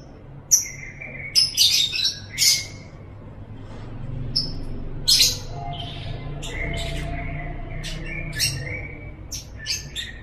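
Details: Chattering lovebird (ngekek): a lively run of shrill chirps and rasping bursts opens the clip, then gives way to softer continuous rolling chatter with scattered sharp high notes. Low background rumble persists throughout.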